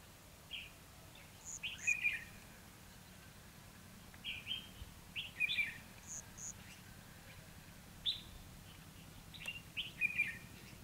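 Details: Red-whiskered bulbul singing in a fighting trap session dated 29/2/2016; short clusters of sweet whistled and chirped notes repeated every couple of seconds with quiet gaps, steady low background hum.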